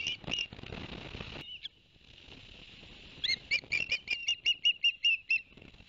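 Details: From a Barnegat Light, New Jersey osprey nest camera on 11 September 2021, after two fish were brought for the young: a few whistles amid rustling noise, a quiet stretch, then a quick rising-and-falling run of about a dozen chirps.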